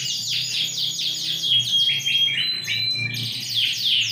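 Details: Energetic song of a big ring-20 Yorkshire canary from 28.01.2021, fast repeated downswept notes in rolling trills with a few flat whistles, over a faint low hum.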